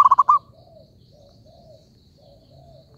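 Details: Zebra dove lure call for trapping: the tail of a fast rolling phrase of four clipped coo notes, then a quiet pause with faint distant bird notes, and the onset of another phrase.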